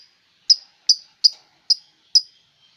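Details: Melodious bird repeating crisp high chirps, five sharp notes at fairly even intervals of about 0.4 seconds, each ending in a brief fading tail, with no other sounds around.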